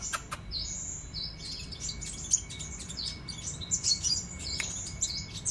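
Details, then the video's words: Kolibri raja sunbird singing busily in cetrekan style. Two sharp clicks open a stream of very high, thin buzzy trills, and a steady faint whistle-like tone runs beneath. "Kicau Kolibri Raja KING KONIN Gacor cetrekan"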